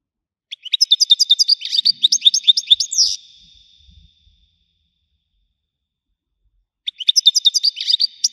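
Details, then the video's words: European goldfinch song, widani style: a long, lively twittering phrase of varied chirps and buzzes ending in a sweeping note, then a pause and a second phrase beginning; faint low knocks between. "حسون ويداني حصري صوت مزلزل"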